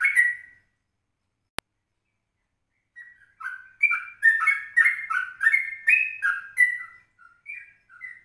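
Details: Morning lure recording at 04:30 of a yellow-vented bulbul: one opening note, a single sharp click, then a long rapid run of bubbly warbled whistles that tapers into a few softer notes.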